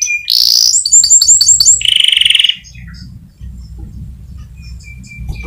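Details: White canary singing as a lure for other birds: a brief burst of rapid high chirps and a buzzy rattling trill, then the song stops, leaving faint low background rumble and scattered soft high notes.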